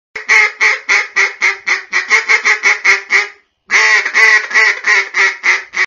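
A mallard gives harsh, nasal quacks in quick runs of about four per second, two bursts split by a brief pause.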